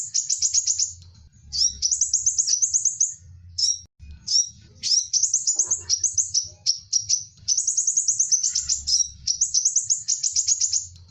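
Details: Small sunbird singing, recorded as a model for other cage birds; continuous very high-pitched rapid trills and tinkling chirps in quick phrases with tiny gaps, faint low hum beneath.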